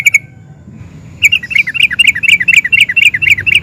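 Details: Sooty-headed bulbul singing in an excited nguplik style that prompts other bulbuls to respond: a short chirp, a pause, then a rapid run of bouncing, slightly downslurred notes about four per second, low hum behind.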